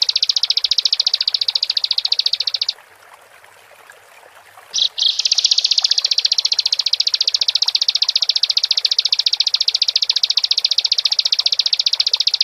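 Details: Bar-winged prinia singing gacor as a lure for other birds: a sustained rapid high trill, a pause of about two seconds, sharp introductory notes, then a long even pulsing trill again.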